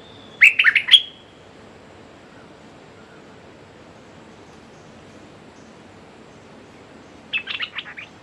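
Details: Red-whiskered bulbul decoy luring a territorial wild bird, giving a short burst of sharp chirped notes, then a long quiet gap with faint hiss, and a second quick chattering burst of notes near the end.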